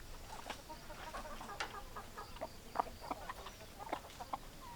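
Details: Farmyard hens and roosters giving short, separate clucks in loose succession, a few brighter squeaky notes among them over a hissy background.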